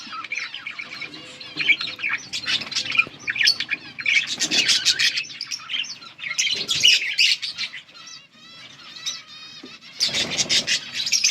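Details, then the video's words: Yellow budgerigars chirp in bursts of bright, buzzy chattering with sharp chips and a few clear whistled tones, separated by short quieter gaps. "Budgies sounds for lonely birds Beautiful yellow budgies chirping sounds"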